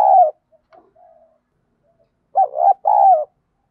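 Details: Spotted dove singing in the field-voice style, played as a lure to provoke fighting: two low hoarse coos, a pause with faint soft murmurs, then a closely paired coo, all clean and indoors-quiet.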